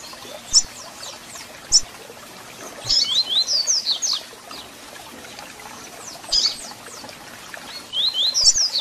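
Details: Captive double-collared seedeater singing with chirps, played to excite and warm up a caged bird: sharp single chip notes, then two quick bursts of high, rapid downslurred whistled notes, each about a second long, over a faint steady hiss.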